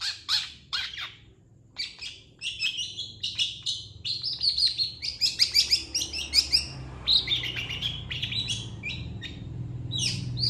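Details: A lively long-tailed shrike delivers a master training song: a few loud opening notes, a pause, then a rapid varied medley of whistles and chatter, over a low rumble.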